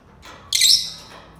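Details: A Senegal parrot gives one abrupt, harsh, high screech lasting about a third of a second, then fades into quiet.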